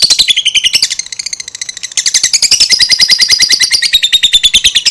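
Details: A young lovebird aged two months gives a long ngekek chatter, a dense run of high rapid notes, about three per second, sustained almost without pause across the clip.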